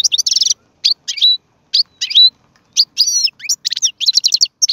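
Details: Goldfinch singing, offered as a tutor song for young birds: quick tinkling trills, clipped rising and falling whistles and a fast buzzy run near the end, with phrases broken by brief gaps.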